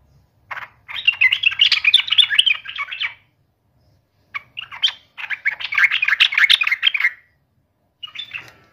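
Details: Yellow-vented bulbul in full chatter, challenging a rival: jumbled, bubbly phrases of rapid mixed notes in bursts of two to three seconds, separated by short pauses.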